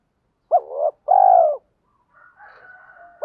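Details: Decoy spotted dove giving its 'gọi - thúc' calling coo to draw wild doves: a short hooked note, then a longer, steady, falling coo, followed by a faint thin sustained tone.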